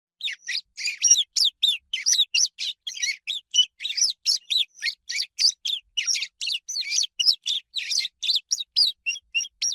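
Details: Swallow twittering, a lively chirping bird of skies and rooftops linked with spring's arrival: dense, rapid chirps and short whistled notes, about four per second, bright and high, each slightly different, continuous throughout, no other sounds.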